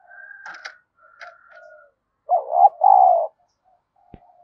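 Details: Decoy spotted dove cooing to provoke rivals. One strong low double coo, a trembling note then a long steady note, follows soft murmured coos and a thin whistled tone, with a sharp knock near the end.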